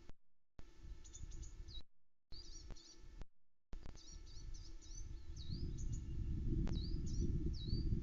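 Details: Unseen wild songbirds singing near the Loch Arkaig osprey nest around 9am on 21 May 2020, picked up by a woodland nest camera: high, thin chirps that dip then level off, several per second, broken by short dropouts over low rumbling background noise.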